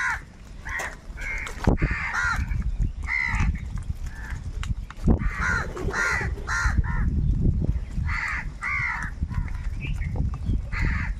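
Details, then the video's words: A huge flock of crows fighting for food, calling over one another with harsh, ragged caws in dense overlapping bursts, with rumbling low noise and occasional clicks underneath. "kaka sound and noises of crow birds | Huge numbers of crows crowing and crying sounds"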